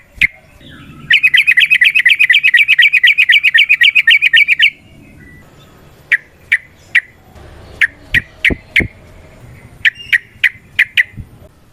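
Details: Yellow-vented bulbul, a long rapid fighting song used to provoke other birds into singing: a fast rattling trill of about thirty notes over three and a half seconds, then sharp separate notes repeated about every half second.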